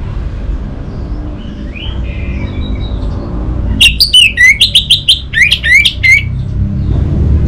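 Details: Orange-headed thrush singing a lure phrase meant to prompt silent birds into song: after a quiet start, a burst of rapid, sharp rising and falling notes lasting about three seconds, over steady low background noise.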